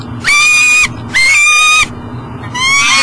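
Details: At a Minnesota nest box by the Mississippi River, a peregrine falcon carrying breakfast cannot get in, 7 a.m. Two long, level, harsh wailing calls, then a third starting at the end.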